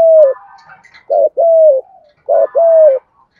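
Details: Dong Nai, Vietnam spotted dove with "thổ" voice, "thúc gù" calling used as a lure for other doves: paired coos, a brief note and a longer drawn-out falling coo, with softer distant cooing between.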